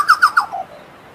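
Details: Chucao tapaculo song: three loud, rich notes given quickly, each dropping slightly in pitch, then two softer, lower notes trailing off into quiet background.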